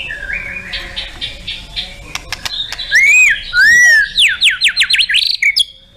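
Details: White-rumped shama, a competition songbird, producing soft warbles, then loud arched whistles and a quick series of sharp, sweeping notes.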